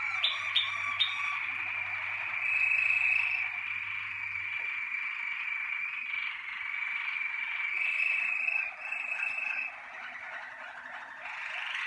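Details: Malinois Waterslager canary from a 2019 breeding team sings a long unbroken rolling trill lasting nearly twelve seconds, opened by a few sharp clicks, with swelling loudness and a low hum fading after four seconds.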